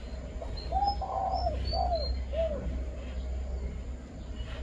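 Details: Five-note coo of a spotted dove: mellow, hollow coos in quick succession, the second drawn out and the last slightly rising, with thin high chirps of other small birds and a constant low hum.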